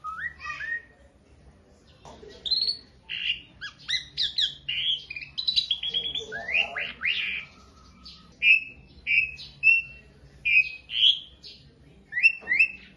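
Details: Beginner Asian pied starling heard in masteran training song: a jumble of harsh squawky notes and bright whistles, then a run of clear rising whistles spaced about a second apart, over faint low hum.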